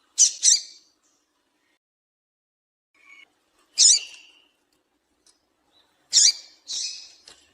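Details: Female double-collared seedeater calling to get males singing. A quick pair of high, piercing chips opens, then a single chip, then another pair with a softer trailing note. Long silences separate the groups.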